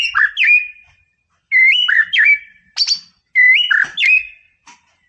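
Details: White-rumped shama in full song to stir up a rival: loud, repeated rising-and-falling whistled phrases with sharp high accents, spaced by short pauses.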